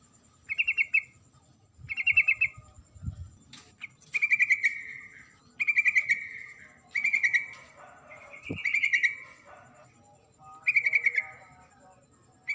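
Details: Female sooty-headed bulbul calling to the male, a steady series of short pulsed trills, some ending in slight downward slurs, about every second, with a faint high steady tone behind.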